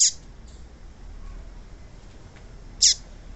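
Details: A female Yellow-bellied Seedeater gives two sharp, high chirps about three seconds apart, with a faint one between, over a soft background hiss; such female calls are used to stimulate males to sing.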